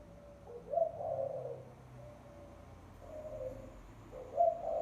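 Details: Lure calling of a spotted dove: repeated low, breathy coos, with a stronger accented phrase early, softer coos mid-clip and another emphatic coo at the close, with low background rumble.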